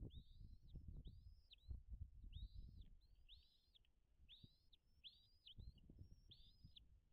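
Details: Wild bald eagle piping at its nest on Dale Hollow Lake, Kentucky-Tennessee border, nest camera recording from 05.03.2022, 09:56; bright high arched whistled notes in two bursts of rapid repeats, separated by a short pause, over rumbling low noise.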